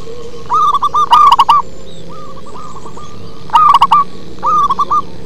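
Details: Deep-voiced local zebra dove song: clipped, bubbling coo phrases, one loud and one softer, in turn, with a faint steady hum underneath.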